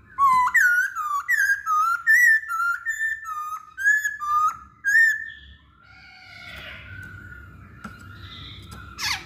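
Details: A masked laughingthrush sings to draw other birds into song: about ten upslurred whistled notes in a steady series, roughly two per second, then a softer fading warble with low background noise.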